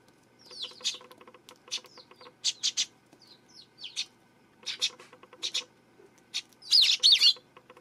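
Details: Eurasian tree sparrow on September 12: bursts of high chattering chirps, often in quick pairs or clusters, ending in a dense tangled twitter, over faint rapid ticking.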